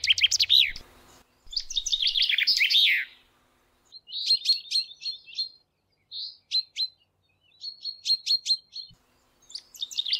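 Common chaffinch: bright, high notes in quick descending runs, then shorter clipped chirps and trills in bursts roughly every second; little else is heard.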